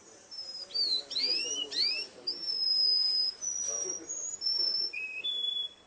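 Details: Russian canary singing at a contest: high pure whistled notes with quick rising and falling slides, then long level tones and a lower held note, with faint background murmur.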